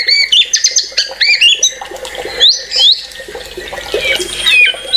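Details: White-rumped shama singing excitedly and without pause, a rich string of clear whistled phrases, quick rising and falling notes and squeaky flourishes, loud and varied over a low background hum.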